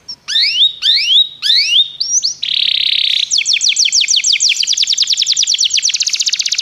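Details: Canary song for training: three separate rising whistled slurs, a dense buzzy burst, then an accelerating series of sweeping notes becoming a very fast trill.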